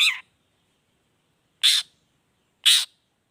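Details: Long-tailed shrike lure in the 'toet toet' style: three rasping, buzzy notes spaced about a second apart, with silence between them.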